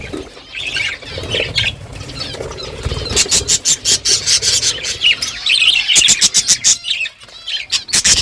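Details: Budgerigar flock chattering in the morning: scattered warbled chirps early, then a run of sharp rhythmic clicking, scratching pulses dominating the second half, with occasional wingbeat-like rustles.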